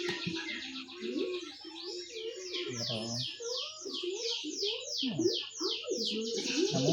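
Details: A hand-fed lovebird chick, separated from its parents two days earlier, begs eagerly for food with rapid, raspy, high chirps that drop in pitch, about four each second, while a person talks softly nearby.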